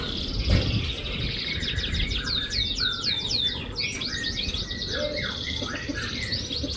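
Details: Canary lure song meant to make a silent canary sing: varied high chirps, short sweeping whistles and brief trills in irregular phrases, with a thump near the start and constant low background noise.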